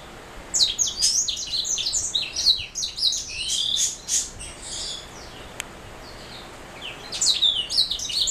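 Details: Black-throat mule, a canary hybrid, singing a rapid jumble of high twittering notes, buzzy trills and short whistled slurs, pausing briefly near the middle before resuming; a faint click partway through.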